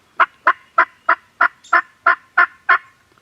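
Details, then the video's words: Farm turkeys gobbling in a quick rattling series, nine evenly spaced gurgling bursts roughly every third of a second, then a faint trailing note and quiet. "Turkeys Are Gobbling"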